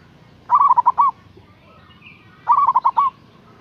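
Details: Zebra dove of the local type, calling actively as a lure for rival birds. Two quick phrases of five or six soft, rolling coo notes about two seconds apart, with faint background hiss.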